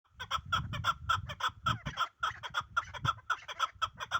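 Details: Chukar partridge of the Pamir, praised as the best partridge, giving a fast series of hoarse clucking chuk notes, about two per second, with low rumbling noise underneath.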